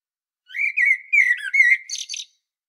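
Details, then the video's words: Common blackbird singing on Medvednica Mountain at Sljeme, Zagreb, Croatia, recorded with a Panasonic Lumix DC-TZ90: a mellow, fluty warbled phrase of about two seconds, low and rich at first, closing in a thin, high twittering flourish, against quiet background. "Il Canto del Merlo 🍀 Mirlo Cantando 🍀 Merle Noir Chant 🍀 Amsel Gesang 🍀 Blackbird Song 🍀 Kos pjeva"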